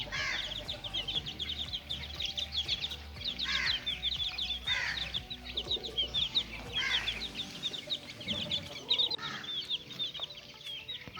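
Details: Caged chicks playing, a flock of young chickens producing bursts of shrill peeping in waves, louder clusters every few seconds, with a faint steady hum underneath.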